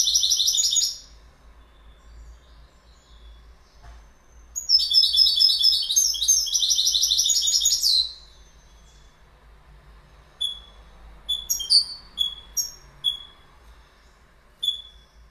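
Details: Goldfinch song: a short twittering burst, a pause, then a long, dense, jangling phrase of high liquid notes, followed by scattered thin chirps and short whistled calls in a quiet setting.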